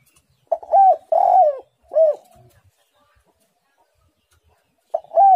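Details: Spotted dove singing eagerly, its voice described as dense and pressing: a phrase of three mellow arched coos with a long middle note, then silence, then a new phrase starting near the end.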